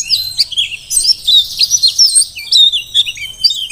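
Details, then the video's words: Wild Merapi-caught mountain white-eye, Dakun type, singing as a tutor for other birds: a continuous high twitter of bright chirps and short whistled slurs, in quick succession. "Pleci Dakun Merapi Ngalas super gacor paling di cari untuk Masteran"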